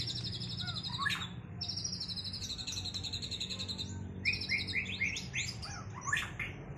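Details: White-rumped shama just out of moult, singing in a duel to restore its performance. High, varied whistled phrases mix sustained trills with rapid rising and falling notes, over a low steady hum.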